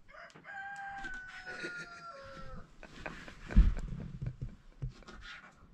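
A rooster gives one long, drawn-out crow lasting over two seconds, slightly falling in pitch at the end, followed by people talking and clattering nearby.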